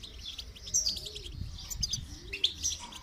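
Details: Goldfinch heard during song training: sparse high twittering chirps in short bursts, with faint low rounded sounds and background hiss beneath.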